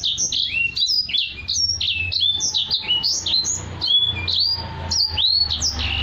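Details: Tutor song from a caged Black-throated canary: lively, unbroken high warbling of short whistled notes, many dropping in pitch, some rising, delivered in a steady rapid stream.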